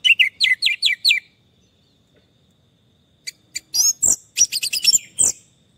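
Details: Orange-headed thrush song from a stressed bird that has stopped singing: a quick series of five downslurred whistles, a pause, then a burst of high, scratchy chirps and thin whistles.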